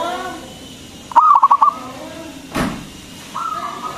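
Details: Local zebra dove with a powerful voice, played to urge other doves to sing; one short burst of quick rippling coos, a brief noisy thump, then a faint level tone.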